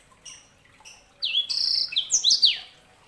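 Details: Short phrase from a sanger canary hybrid: a few faint notes, then a loud sustained whistle and twisting high chirps.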